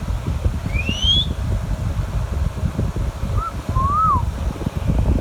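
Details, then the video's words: Alexandrine parakeet while eating mango: a rising thin whistle, then after a pause a short and a longer arched whistled note, over steady low rumble. "Alexandrine Parrot and Ringneck parrot talking natural sounds"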